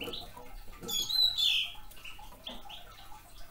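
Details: Red crossbill, a young male, uttering a quick cluster of high, thin chipping notes followed by a few softer, lower chips over faint background rustle.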